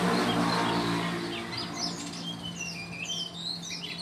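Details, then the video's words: Oriental magpie-robin (kacer) owned in Sukanegeri village, back in sweet song at midday, gives varied slurred whistles with swooping rising and falling notes, over a constant low hum. "KACER MILIK PAK RAHMAT MUSLIMIN DESA SUKANEGERI MULAI BERNYANYI MERDU KEMBALI"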